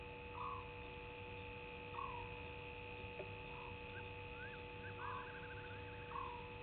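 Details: An African barred owlet at the Gowrie dam waterhole, Djuma Game Reserve, Sabi Sand, South Africa, calls at 02:40 on 20 March 2019. It gives short, mid-pitched purring notes about every one and a half seconds, with faint trills between, over electrical hum.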